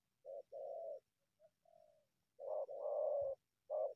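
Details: Wild spotted dove coming out of bushes toward a decoy bird to attack it: low hollow coos, a short note then a longer one, with a soft quiet phrase between, then the short-long pair again and another short note.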